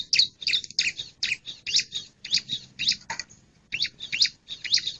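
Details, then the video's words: Male bar-winged prinia calling: repeated harsh, squeaky high notes in short bursts about every third of a second, with one lower downward-sliding note midway. "Suara panggil burung ciblek jantan"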